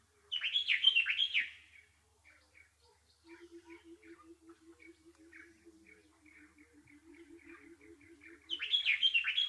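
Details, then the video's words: Bulbul chirping: a loud, rapid burst of high warbled notes opens and closes the passage, with soft scattered chirps and a steady low pulsed rattle of repeated notes in between. "Bulbul Sounds | Sound of Happiness and Peace | Bird chirping"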